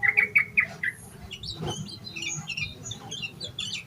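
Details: Yellow-vented bulbul in excited song full of fill-in phrases, used as a lure to make other bulbuls sing; four loud, evenly spaced chip notes open, followed by a quieter tumble of twittering, scratchy notes.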